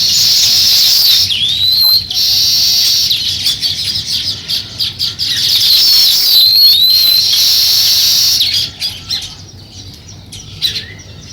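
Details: Sparrow chirping while starting to build a nest: dense, high, thin chirps and quick squeaky notes run almost nonstop, thinning out near the end into scattered short tweets.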